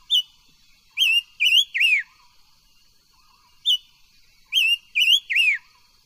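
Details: Silver-eared mesia singing for voice training: a short high note, then three quick slurred, wavy whistles with the last one dropping. The whole phrase repeats twice in six seconds against a faint steady hum.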